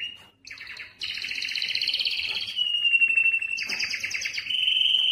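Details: Excited canary singing to stimulate breeding: a dense two-pitched trill, a long level whistled tone, then another rapid high roll.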